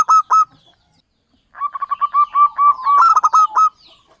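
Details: Trapping lure song of a local zebra dove from Java: a brief loud note pair, a pause, then a long accelerating run of rolling, bubbling coos rising to a loud, clipped finish.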